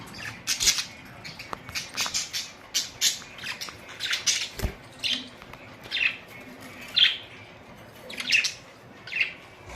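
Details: Colourful budgerigars, recorded April 19, 2023, give a steady run of short, high, scratchy chirps roughly every half second to second, some with clearer whistled notes toward the end.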